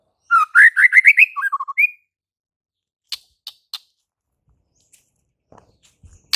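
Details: White-rumped shama singing a fast run of clear whistled notes that climb steadily in pitch, ending in a short drawn-out whistle, followed by a few sharp clicks and near silence.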